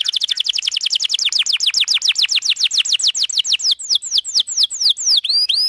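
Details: Long, lively canary song played to tutor young canaries: a fast rolling trill of falling whistled sweeps, about three or four a second, slowing gradually and ending in a few longer, fuller notes.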